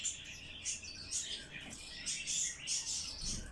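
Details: Bird chick begging as it is hand-fed: a steady stream of high, squeaky chirps in short pulses, ending with a sharp click.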